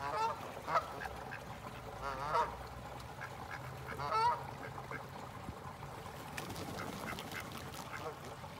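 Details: Ducks in a park: bursts of loud, nasal, harmonic quacks near the start, around two seconds and again just after four seconds, then quieter scattered calls over a steady low background hum.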